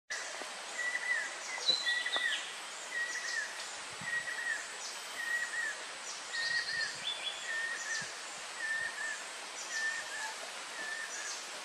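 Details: A male and female banded kingfisher call, trading clear, mid-pitched whistles roughly one a second with some higher notes, over a steady hiss of insects.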